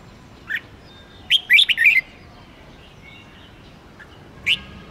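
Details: Red-whiskered bulbul singing in an excited contest style, used to provoke rival birds: a single sharp chirp, then a quick cluster of bright, warbled, slurred notes and a lone high chirp near the end, with soft background hiss.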